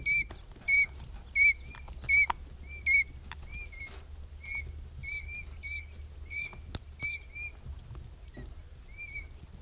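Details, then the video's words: Three-day-old quail chicks peeping: bright, short, slightly bending chirps in quick bursts, loud and close at first, then a run of softer notes over a quiet background with a few faint taps. "3 DAY OLD QUAIL"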